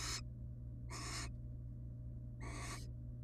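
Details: Three harsh, noisy hisses from wild barn owls at their nest box, where the female and male sit next to their young; bursts last a fraction of a second to half a second, over a low steady hum.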